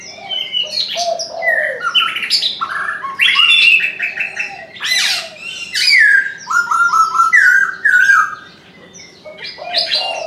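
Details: Chinese francolin giving its morning call: several bursts of loud, harsh, stuttering notes with falling, grating tones, separated by short pauses over about ten seconds.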